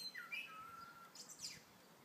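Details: In the morning, a blackbird sings a short fluted phrase, a rising note into a long, slowly falling whistle, then ends in a quick, high, scratchy twitter.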